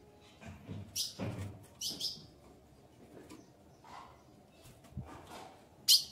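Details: Female ultramarine grosbeak asking to mate: a few scattered bright chips spaced about a second apart, a final sharp note at the end, with soft low thumps and rustling.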